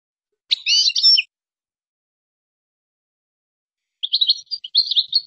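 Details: Moroccan goldfinch singing in qazarat and srrr bartbartio style: a dense, scratchy twittering phrase, a pause of nearly three seconds, then a longer run of rapid liquid chattering notes. The background is clean.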